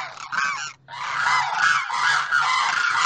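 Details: A male demoiselle crane of a recorded pair calls to the female on the other side: loud, harsh, continuous honking with rich overtones, rolling on for about three seconds after a brief opening burst.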